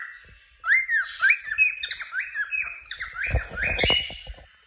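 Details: Cheerful cockatiel chirping in a long chattering run of whistled, warbling notes, joined near the end by low knocking and rustling sounds.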